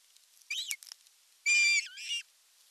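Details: Osprey at a Satakunta nest in Western Finland, July 19, 2022, as the male lands with a big fish: a short squealing whistle followed by a louder, drawn-out piping note and a final slurred downward whistle.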